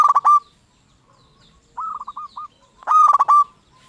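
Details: A local zebra dove sings as a lure to draw replies from other zebra doves: a loud stuttered coo, a softer four-note rolling coo answering, then another loud burry trilled phrase.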